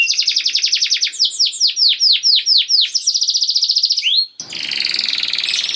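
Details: Canary song to make reluctant canaries sing again: a rapid trill, a row of slower falling whistles, another fast trill, then a rising note and a harsh buzzing roll.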